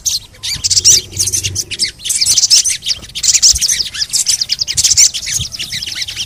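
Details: Busy high chirping from a sogon comes in quick, repeated bursts, played as a lure so other sogon birds will sing. A soft low hum is in the background.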